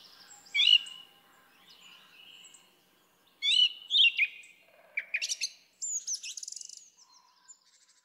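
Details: Song thrush song, softer at first: scattered, squeaky phrases, then louder clusters of high chirps, ending in a fast, rattling trill of repeated notes.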